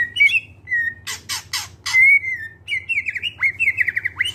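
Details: Greater green leafbird in clear voice, a song for luring other birds to sing: sliding whistles broken by loud harsh rasping bursts, then rapid warbled trills and downward slurs, low hum behind.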